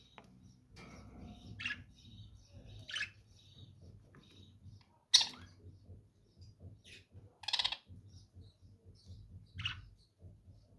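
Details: Lovebirds give loud, shrill chirps spaced a second or more apart, with the strongest at about 5 and 7.5 seconds, over quiet twittering and a low hum.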